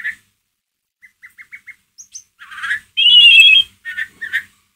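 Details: Ngeriwik chatter of a white-rumped shama, played as a lure to rouse a kept shama: a quick row of tiny ticking notes, two high squeaks, then a loud rasping trilled phrase followed by short chirps.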